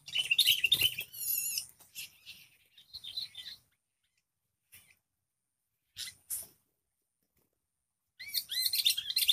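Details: A tough wild sooty-headed bulbul battles a lure bird at a trapping site; a dense burst of shrill, scratchy chatter opens, then scattered faint notes and long silences, followed by a final flurry of quick, rising squeaks.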